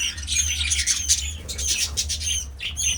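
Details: Captive budgerigars in a breeding setting produce a busy stream of grating squawks and thin whistled squeaks, overlapping voices, with a low hum beneath.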